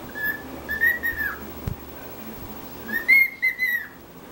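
A cockatiel gives clear, tuneful whistles in two short phrases, each swelling slightly in pitch then falling away.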